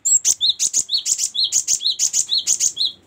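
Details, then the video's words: Cinereous tit, one of many song variations used as a tutor recording for training songbirds: a fast, steady series of high, sharp chirped notes, each dropping to a lower whistled tail, repeated about twice a second without pause. "ada banyak fariasi suara gelatik batu sangat cocok buat masteran"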